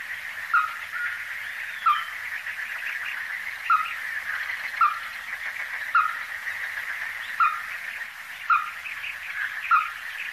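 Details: Ruddy-breasted crake, a resident Taiwan endemic subspecies, at the Donggang River in Taiwan on 14 December 2023: short, sharp clucking notes repeated about every one to two seconds over a steady, even background chorus.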